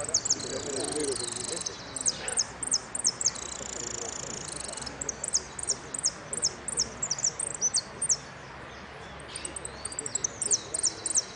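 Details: Competition song of a hooded siskin, Merlo winners' final, Amarillo Completo category, 13 01 13: an opening buzzy trill, then a long run of crisp, high, slurred notes repeated several per second, with low crowd noise.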